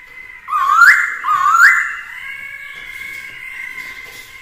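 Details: Black-throated laughingthrush singing to provoke rivals, kept with a female to rouse the male; two loud whistled notes, each sliding sharply upward, then a quieter steady whistled tone held to the end.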